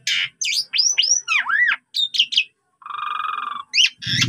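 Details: Lively Asian pied starling song used to train other birds and packed with varied imitations: sharp whistled slurs dipping and rising, a cluster of chirps, a steady nasal buzzy tone, then harsh squeaks.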